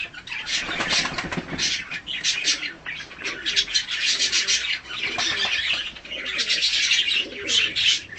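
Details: A hand-tame mutation budgerigar, at a short play and cuddle session during feeding, keeps up a steady, scratchy chatter of high chirps and warbles with barely a pause, with faint rustling and wing flutter.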